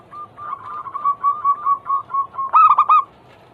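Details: Zebra dove song used to prompt other doves to sing: a soft run of short cooing notes repeated about every fifth of a second, ending in a louder, harsher rolling burst near the close.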